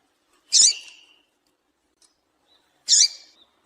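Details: Female double-collared seedeater giving calls to prompt a male to sing: two well-spaced, sharp, buzzy high notes, each dropping into a short trailing tail, in a quiet background.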